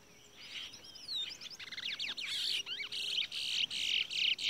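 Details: Caged Towa Towa seed finch in a bird race song contest: a fast jumble of high slurred whistles and sharp chirps gives way to loud, evenly pulsed buzzy notes repeated about four times a second.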